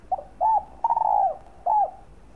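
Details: Cooing spotted dove used as a lure for other doves; a brief introductory note, an arched coo, a long tremulous descending coo and a closing arched note.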